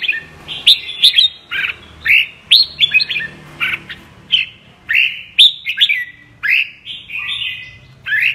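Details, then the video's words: Apricot red-whiskered bulbul, a caged bird, singing double-voice song: short, loud, chirpy whistled phrases repeated roughly every half second with quiet gaps between them. "Con Chào Mào MƠ cực đẹp, HÓT giọng KÉP Cực đã"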